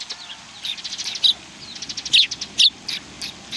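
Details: Sparrows on 19 March 2019 produce rapid high twittering notes, about two per second, with a few louder sharp chirps standing out.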